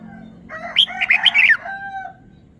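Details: Caged red-whiskered bulbul showing off its song phrases: a short, lively run of five or six clear, bright, slurred whistled notes in quick succession, trailing into a soft lower tone.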